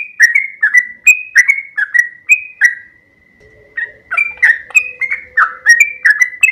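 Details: Sooty-headed bulbul training song in 'ropel panjang' style: rapid whistled, down-slurred notes, a short gap holding a steady tone, then the fast run resumes with a low humming tone underneath.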